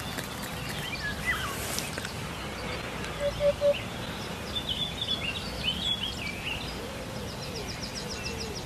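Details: Hoopoe song used as a training recording for contest birds: one low, soft triple hoot, 'oop-oop-oop', evenly spaced. Thin high chirps and twitters from other birds run throughout, over steady background hiss.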